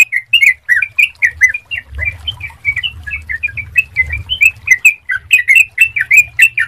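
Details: Sooty-headed bulbul heard on a clear lure track used to prompt singing in other bulbuls. Busy, uneven chirping continues throughout, some notes overlapping, over a noticeable low rumble in the middle section.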